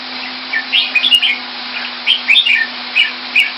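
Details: Captive red-whiskered bulbul from Singapore, coming into form, gives a few short clusters of cheerful slurred chirps separated by brief pauses, against a steady low droning hum.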